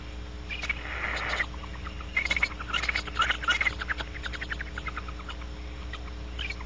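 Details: Barn owls outside the nest cavity at Audubon Starr Ranch, twittering, rasping and giving a screech or two. Harsh, hissy rasps and short twittered notes cluster in the first four seconds, then thin out, with a steady low hum underneath.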